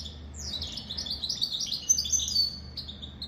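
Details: Dense, bright, high-pitched twittering song of a goldfinch × canary hybrid, a rapid tumble of chirped notes with little pause, over a faint low hum.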